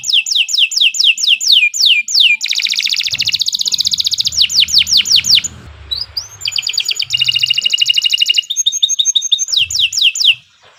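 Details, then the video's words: Caged Kenari Nusantara canary singing a long, loud song used to train other birds: repeated falling whistled notes alternate with dense rapid rolling trills and bursts of quick chips, with brief pauses and faint low room noise. "Kicau Burung Kenari 103 II GACOR PANJANG Cocok untuk Masteran"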